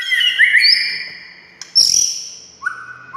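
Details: Song of a white-rumped shama meant to make quiet shamas sing back: clear rising whistles with overtones, a sudden bright high note, then a lower whistled phrase ending the clip.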